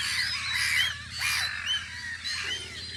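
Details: Gulls at a guarding post on Audru polder in spring, calling in a series of short, arched, mewing notes that rise and fall, some overlapping, with a steady low background hum.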